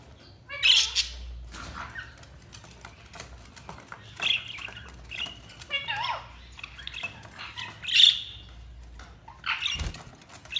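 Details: Budgerigar giving a few scattered, harsh chirps and short squawks separated by quiet gaps, with soft rustling and fluttering sounds in between.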